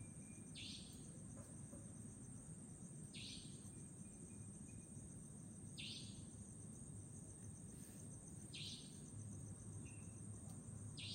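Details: Savanna nightjar at Chunghsing New Village, Nantou, Taiwan, on 11 April 2018, giving harsh, buzzy single notes repeated about every two and a half seconds over a steady low rumble of background noise.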